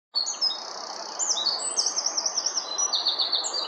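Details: Eurasian wren singing high, thin notes that break into a rapid, pulsing trill of repeated notes at about six per second, over a steady loud rushing background like running water or wind.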